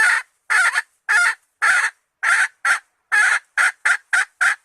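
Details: Female red junglefowl lure call for attracting males: around eleven loud, raspy clucks at an uneven pace, some paired closely together.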